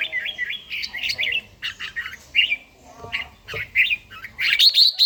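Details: Morning song of a red-whiskered bulbul kept for daily singing practice, Gia Lai: lively whistled, warbling phrases broken by short gaps, ending in a louder, higher burst of rapid trills.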